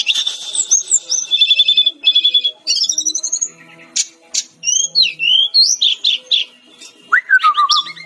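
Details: Lively brown-chested jungle flycatcher song: fast rattling trills, then a rising series of sweet whistled notes, varied slurred chirps repeated at a quick uneven pace, and a final whistle dropping in steps.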